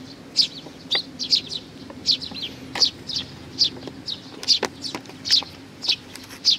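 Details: Fed sparrows arriving, 15 May 2019: bright high chirps roughly every half second, fairly evenly spaced, with a few sharp clicks and a continuous low hum.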